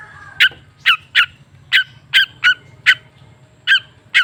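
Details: Long-tailed shrike lure recording meant to prompt silent caged shrikes into singing: loud, harsh, nasal single notes repeated roughly every half second, about nine in all, over a faint low hum.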